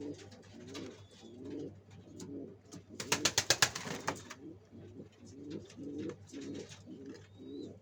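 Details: {'text': 'Pigeons at work on a nest for egg laying keep up a rhythmic series of low coos. Midway comes a loud rapid run of claps, like wingbeats, and a few thin high chirps from other birds.'}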